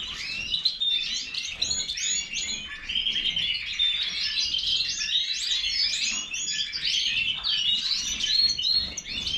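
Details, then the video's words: Major goldfinch singing a continuous, fast twittering song of high chirps, trills and short buzzy notes, steady and loud throughout, with no pauses and no other clear sounds. "Stieglitz Major -Goldfinch طائر الحسون الرائد"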